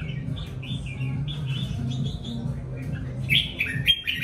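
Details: Red-whiskered bulbul singing: a run of short, warbled whistled phrases in a mid-high range, ending with louder, sharper notes. A steady low hum runs underneath throughout.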